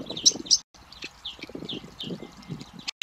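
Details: Nestling great spotted woodpeckers asking to be fed: quick series of high, squeaky, slightly descending chirps in a short burst, with two louder notes at the start and soft rumbling underneath.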